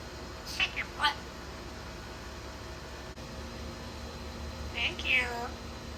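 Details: Talking female African grey parrot kept as a pet in Florida, giving two short nasal meow-like calls, a pause, then a longer wavering meow-like phrase, against a low indoor hum.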